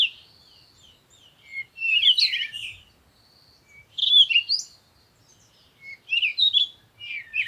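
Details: Morning birdsong at sunrise, with high chirps and twitters arriving in four dense clusters about two seconds apart. Short thin notes fill the quieter stretches between them.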